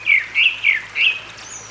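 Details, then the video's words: Whistled song of a grey-backed thrush at Sinwonsa Temple on Gyeryongsan Mountain, Korea, recorded 6 May 2022: four rich, rolling fluted notes in even succession, then a thin high whistle. "되지빠귀 울음소리, 계곡물소리 Grey-backed Thrush singing, Sound of water in the valley"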